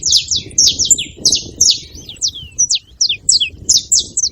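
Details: Saffron finch chattering with quick high chirps and steep downward-slurred notes, irregularly spaced, two to four per second, over a faint low background rumble.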